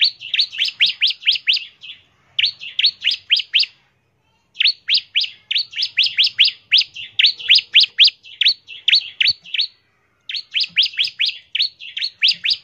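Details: Bar-winged prinia in lively ngebren song, used as a lure to prompt other prinias to sing: sharp, high chirps fired in rapid bursts of about ten notes, with brief pauses between bursts, in a quiet setting.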